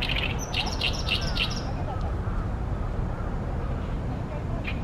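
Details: Oriental great reed warbler singing loudly, 28 May 2020, Ashiya, Japan, at a reed-fringed pond on a sunny day: about four grating, harsh notes in quick succession, then near quiet with only low hum and a faint later note.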